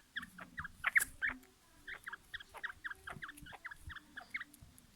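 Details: A quail being readied for fighting gives a rapid run of short, squeaky notes, about four a second and steady in pitch, with a few scuffling knocks and low thuds underneath.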